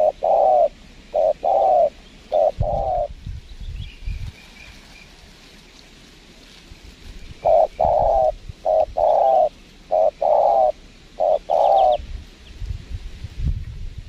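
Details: Spotted dove during bird trapping at a windy spot, giving two series of short, mellow coos in quick rhythmic groups separated by a pause, with gusty wind noise and rustling in the background.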